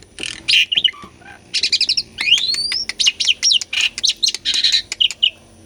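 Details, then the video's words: Energetic Asian pied starling song, meant to provoke birds that have stopped singing: scratchy bursts give way to a fast run of clipped, piping high notes and rising whistles, delivered almost without pause. "KICAUAN JALAK SUREN GACORAN - PANCINGAN JALAK UREN MACET PALING JITU..!!"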